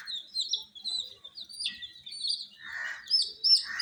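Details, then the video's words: Colour-dyed chicks under heat giving scattered thin, high peeps, mostly short downslurred notes in quick succession, with one soft breathy burst near the end. "MURGI Baby "Chicks Chirping" Sound"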